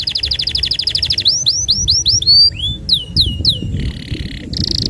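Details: Canary in full, long-running song: a fast run of repeated high chirps, then downward-swooping whistled notes, a low sweep and sharp slurred notes, ending with buzzy rapid trills; low hum beneath.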